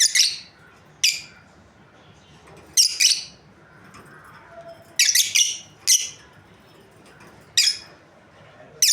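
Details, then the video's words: Lovebirds from a breeding pair chirp in shrill, harsh bursts, some single and some in quick doubles, repeated irregularly every second or two against a soft background hiss. "Amazing Lovebirds Chirping Sounds | breeding pair"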